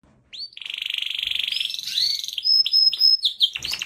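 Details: Canary singing: a long, even rolling trill that glides upward, then a series of short bright whistled notes and sweeps, ending with a brief rustle.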